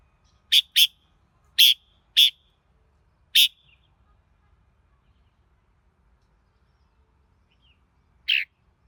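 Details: Red-whiskered bulbul singing: a run of five short, loud, bright notes in quick clusters over about three seconds, then a pause of several seconds before one more emphatic note; quiet background.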